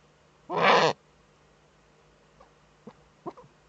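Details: Female Eurasian eagle-owl in a nest niche fitted with a webcam in northern Rhineland-Palatinate, Germany, on 5 May 2013, while scratching in the nest: one loud, harsh, rasping burst of about half a second, followed by faint soft clicks and taps.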